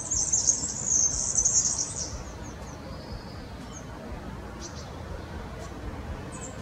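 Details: Song of a European serin, yellow and streaked: a fast, shrill, metallic jangle of high notes for about two seconds, followed by a few thin isolated chips and quiet outdoor background.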